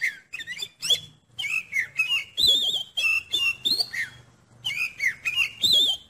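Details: Caged Oriental magpie-robin (kacer) singing a song used to test another kacer's nerve: a lively run of varied whistled phrases, sliding rising and falling notes and short chirps, delivered in quick bursts with brief pauses.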